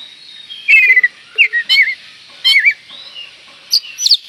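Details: Lure song of an oriental magpie-robin, meant to excite a rival bird: short, clear whistled phrases with wavering slurs, repeated in quick bursts about every half second, then higher twittering notes at the end.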